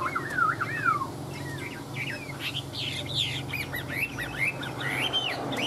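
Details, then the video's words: Chinese hwamei, a caged bird described as coming into fighting form, singing loud whistled phrases that sweep up and down, with varied quick notes following over steady background hum and noise. "Họat Họa Mi"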